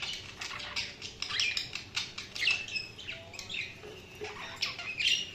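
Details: Budgerigars chattering: steady, fast, high, scratchy chirps and squeaks with small rising whistled notes woven through, continuous and overlapping.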